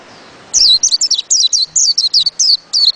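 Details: Continuous bright twittering from a white-eye: a quick string of about ten high, downward-slurred notes delivered at an even, rapid pace.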